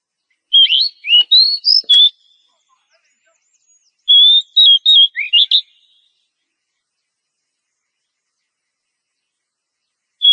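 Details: Oriental magpie-robin female in breeding condition calling to a male: a short series of rising, slurred whistles, then a run of about six quick, clear notes ending with an upsweep. A long silent gap follows before one final note begins.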